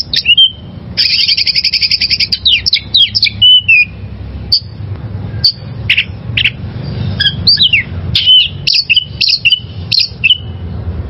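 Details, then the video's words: Wild oriental magpie-robin singing as training material for caged birds: a loud fast buzzy trill lasting over a second, then sharp whistles and downslurred notes in irregular bursts. "Masteran Suara Burung Kacer Liyar"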